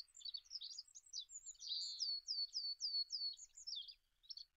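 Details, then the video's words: Olive-backed pipit song: a clean, fast run of high thin notes, mixing sweet trills, buzzy phrases and a string of sharply falling slurred whistles, with a brief sustained buzz near the middle, no other sounds heard. "SUARA BURUNG APUNG ZAITUN MASTERAN"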